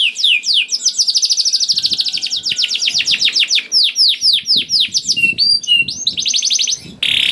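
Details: Canary in full song, played to encourage other canaries to sing: a long fast trill of high notes slowing into swooping slurs, sharp metallic whistles, another short trill and a final hissy burst.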